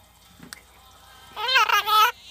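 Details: Captive Orange-fronted Parakeet (Perico Atolero), a species of Mexico's Pacific coast, imitating human speech: a brief spoken phrase in a nasal, wavering voice lasting under a second, preceded by a faint click.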